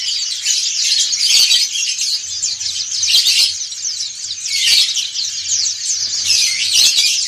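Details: White-eyes of the pleci dakun and montanus sorts sing ngriwik as a group. A dense, high, scratchy chorus of chattering notes pulses in louder bursts about every one and a half seconds, over a faint low hum.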